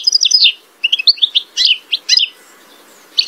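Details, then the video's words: Singing European goldfinch: fast sequence of high, sweet twittering notes and short buzzy trills, ending in a pause and one last chirp. "Goldfinch eropa !! gacor door !!"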